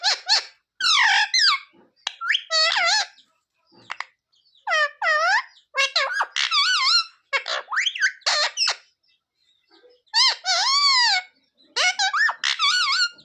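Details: Pet parrot talking at length indoors, a steady string of speech-like phrases with wavering, harmonic syllables and brief gaps between bursts.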